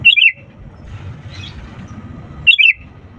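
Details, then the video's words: Sooty-headed bulbul song used to coax lazy birds into singing: two quick phrases of bubbling whistles stepping downward, separated by two seconds of quiet low-frequency background noise. "pancingan kutilang gacor untuk burung malas' bunyi"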